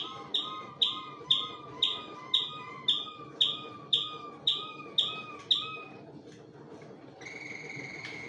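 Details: Malinois Waterslager canaries singing in an aviary: a regular series of ten ringing notes, each a sharp high attack over a lower gurgling tone, about two per second, then a pause and a sustained bright tone.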